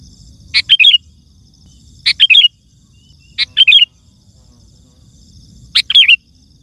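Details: Sooty-headed bulbul song for calling wild birds in forest and garden: four matching short phrases, each a sharp chip then a quick bubbly whistled flourish, repeated about every one and a half seconds over faint low hum.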